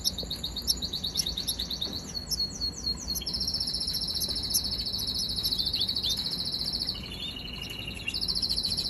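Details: Young canary giving rapid rolling trills, first a descending chatter of quick notes, then long even buzzy rolls held for several seconds, with a lower trill and a final high roll.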